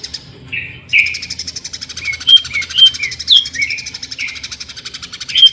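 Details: Greater green leafbird (cucak ijo) song in the 'mesin jahit' (sewing machine) style: a steady, fast pulsing buzz underlies short slurred whistles that rise and fall, about two per second.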